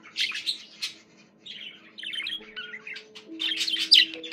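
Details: Pet budgerigar giving soft, buzzy chattering phrases broken by short pauses, ending with a louder burst of harsh chips, with low steady tones underneath.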